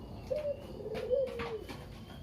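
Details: Kept Barbary dove, a single talkative bird used to spur other doves to call, gives one short double-lilted coo. Soft knocking sounds occur around it.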